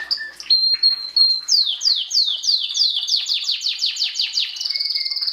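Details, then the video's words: Belgian canary, a domestic canary, singing in 2016 to encourage breeding. A steady whistled note gives way to a fast series of descending sweeps, then ends on a bright high trill with a lower whistle beneath. "Canario belga cantando (MELHOR CANTO) para encartar filhotes"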